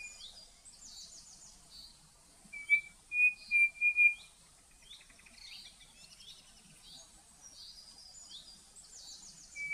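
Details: Cerrado birds of Brazil: four clear, steady whistled notes in quick succession, set against high, thin chirps and trills from other birds in the distance.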